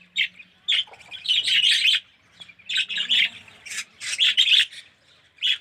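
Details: Budgerigars kept as a colony in an aviary, including yellow red-eyed birds, making grating warbled chirps in clustered bursts separated by short pauses, with a faint low hum beneath.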